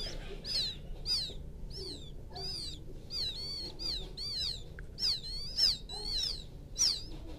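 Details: Quail chick from rice fields crying for its mother: a run of thin, high, downward-bending peeps at about two per second, some doubled, with a soft low rumble beneath.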